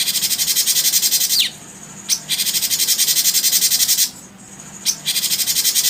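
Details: Bar-winged prinia: fast, even series of very high, thin pulsed notes in long bursts, broken twice by short gaps with quick downward-sliding chips.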